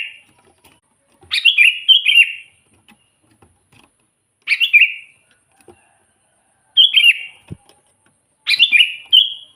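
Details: Wild-bulbul lure recording of a sooty-headed bulbul: four rich, gurgling whistled phrases spaced roughly two to three seconds apart, each starting high and tumbling down before ending on a level warble.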